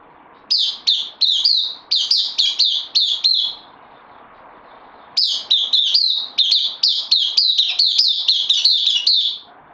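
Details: Bulbul on loan in a cage sings two long runs of quick, loud, downward-slurred notes with a brief silence between, steady and energetic.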